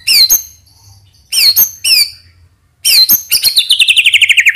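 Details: White-rumped shama lure song: a few sharp, clipped downslurred notes spaced apart, then a fast rattling series of repeated notes sliding gradually lower, over a faint low hum.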